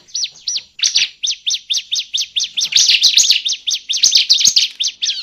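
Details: Bar-winged prinia (ciblek) calling, a lure recording for bird trapping: a steady, unbroken series of sharp, high chirps, about four notes per second, each note a quick rise and fall.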